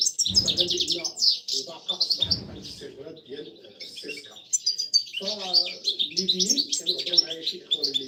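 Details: Female European goldfinch, caged, calling the male in the breeding season, recorded in 2024. Quick high chirps come in uneven bursts, with a quieter stretch around three to four seconds. Low thumps occur early and mellow lower notes sound later.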